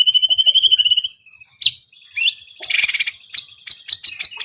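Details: 1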